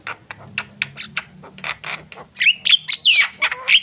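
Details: Javan myna singing: scattered short clicks and rasping notes speed up into a loud burst of squeaky, sliding whistles and harsh squawks near the end.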